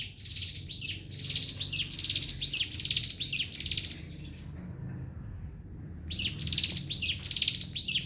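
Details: Javan sunbird in continuous ngebren song: dense, high, buzzy bursts with falling hooked notes, about five in a row, then a pause of over a second before the bursts resume.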